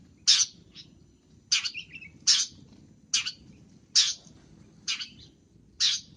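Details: Long-tailed shrike, full-isian gacor cendet masteran: grating, rasping calls repeated every second or so, several trailing into brief twittering flourishes, above a steady low hum.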